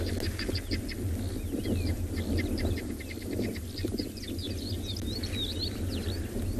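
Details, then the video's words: Guineafowl on the right give harsh, rapid cackling alarm notes over a steady safari-vehicle engine rumble during a morning game drive on 10 December 2020 at Djuma Private Game Reserve, South Africa; a cheetah or leopard is possibly moving nearby. "You can hear the guinea fowl on our right."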